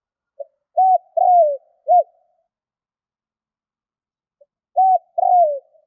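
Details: Spotted dove kept as a decoy for wild doves gives mellow coos: a faint introductory note, an arched coo, a drawn-out descending coo and a shorter closing one, then the phrase starts again.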